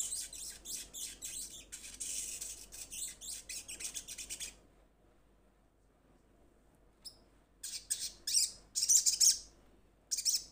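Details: Little spiderhunter calling to companions: bursts of high, scratchy chattering, a pause of near silence, then louder separated chips and short rattles.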